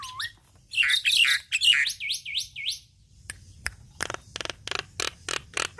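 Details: Javan myna in constant song, used to train caged songbirds: a rising whistle, a burst of buzzy, chattering notes, then a string of looping whistled notes. It ends with dry rattling clicks spaced about a third of a second apart.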